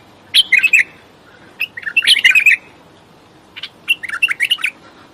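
A bulbul sings three short bubbling phrases of quick, liquid, chirping notes, about a second apart, over a quiet background.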